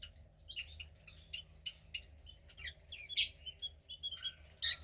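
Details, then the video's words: Around 15 days old, a female cockatiel chick, second to hatch from a pied pair, keeps up quick chirps and squeaky notes with several loud rasping squawks spaced through the sequence. "Cockatiel Chick 2 (15 Days Old)"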